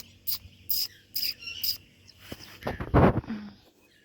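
A parrot gives four quick, hissy, high chirps about half a second apart, then a louder, rough, voice-like utterance near the end.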